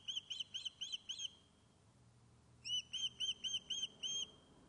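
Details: Fish-calling Osprey on the nest at Loch of Lowes webcam in Scotland: two bursts of high, ringing chirps, about six then seven notes, separated by a second-long pause, over faint background hiss.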